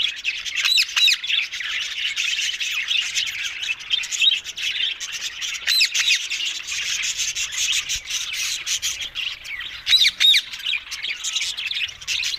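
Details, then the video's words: Green ringneck parrots chattering steadily: a dense, high, rasping babble with frequent sharp squawks that poke out irregularly, several per second, throughout. "Talking Green Fanny Ringneck Mitthu Parrots"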